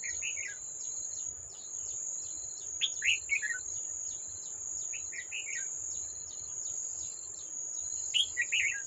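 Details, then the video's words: Old wild red-whiskered bulbul at a trap, come to fight a decoy bird, 18 July 2024; short chirpy warbled phrases in scattered bursts, over a loud steady high insect drone and rapid ticking insects. "Bẫy Chào Mào Già Rừng Quá Khung Không Về Đánh Con Mồi"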